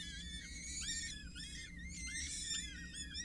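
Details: Four peregrine falcon chicks, 6-8 days old, at a water tower in Scheveningen on 8 May 2023, being fed by a parent, give shrill, overlapping whining screeches, rising and falling, over a low steady hum.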